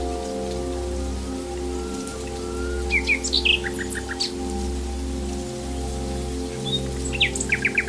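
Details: Nightingale singing in the wild in several separate bursts of quick rising notes and short trills spread across the recording, with a continuous low droning hum in the background.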